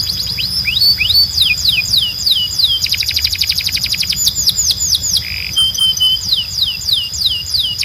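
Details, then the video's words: Canary tutor song to encourage male singing: strings of sharply falling whistles, a fast buzzy trill mid-way, a short low rattle, then more repeated downslurred notes. "You Won’t Believe How Fast Your Canary Starts Singing"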